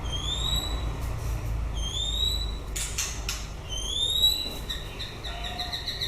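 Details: White-rumped shama at the close of the breeding season giving thin rising high whistles about once a second, with brief clicky bursts and a trill near the end, low hum behind.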